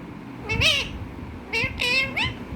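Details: A pet parrot, said by its owner to be calling "mummy", gives four nasal, cat-like meows in under three seconds, each bending up then down in pitch, with the last three in a quick run.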